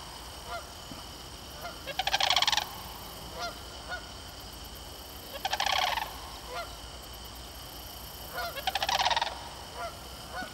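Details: Sandhill cranes at Moraine Hills State Park: three loud, rolling, rattling bugles about every three to four seconds, with fainter short calls from other birds between them over a steady background hiss.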